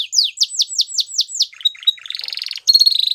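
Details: Waterslager canary singing a series of falling whistled notes, then scattered chirps, a rolling buzzy trill and a sharp high pulsed phrase.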